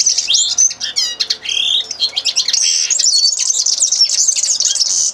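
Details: Singing common linnet: a quick rattled trill and scratchy twitters open a long stream of bright, chattering warbled notes.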